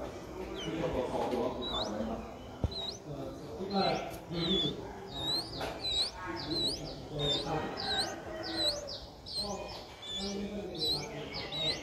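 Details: Streak-eared Bulbul nestling aged seven days, eyes newly open, recorded 9 April 2023 in Ubon Ratchathani, Thailand: rapid series of sharp, high, upward-hooked squeaks, often doubled, running continuously over a low background hum.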